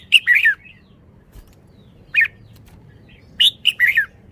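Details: Red-whiskered bulbul giving short, bright, liquid whistled phrases that dip and slur downward, one burst at the start, one near two seconds and a quick cluster of notes near the end, over a quiet low hum.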